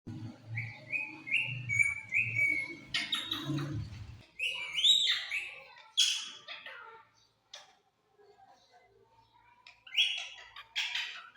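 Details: Pet rose-ringed parakeet talking: a run of short, level whistled syllables, then harsh, speech-like chattering bursts and squawks, a brief pause, and more raspy vocal phrases.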